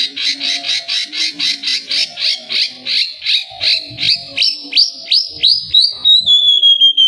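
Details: Oriental magpie-robin singing to draw song from other birds: a rapid train of sharp, buzzy chattering notes that slows into separate downslurred chips, ending in a long clear whistle gliding down.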